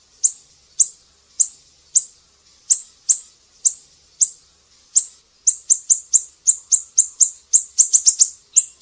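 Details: Siri-siri singing vigorously on a tutoring recording for songbirds: sharp, very high chirps start slow, about two per second. They then speed into a rapid run of clipped notes, with a few quick triplets near the end.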